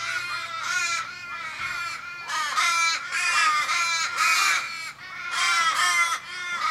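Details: Australian ravens in a Kellyville street in Sydney, 1 July 2012, calling for about thirty minutes around an injured flock member. Overlapping loud, drawn-out harmonic caws, each sliding down in pitch, with brief gaps between bursts.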